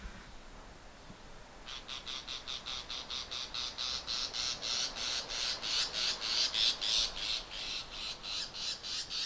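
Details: A male Bull-headed Shrike perched on a pruned backyard branch at 7:03 am in early November 2014, Japan, gives loud territorial morning high-pitched calls claiming his feeding territory: a rapid series of harsh, high, scratchy notes, about three per second, over faint hiss.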